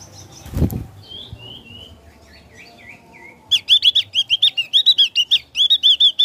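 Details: Ngeplong-style song of a Javan grey-throated white-eye: soft descending twittering notes first, then a loud rapid series of bright, choppy high whistles repeated steadily to the end; a short thud near the start.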